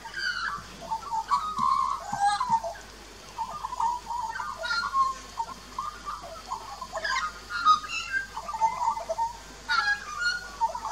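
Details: Australian magpies, one adult and one juvenile, duet at a birdbath in an Australian garden, 2 March 2018, Nikon Coolpix P900: bursts of rich gurgling warble separated by short pauses, with sharp high notes in between.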